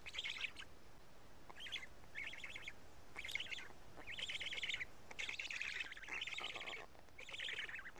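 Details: Feeding time at a black stork nest in Karula, 31 May 2017 around 12:47, chicks picking at two fish; short grating bursts at first, then longer rattling phrases running together in the second half.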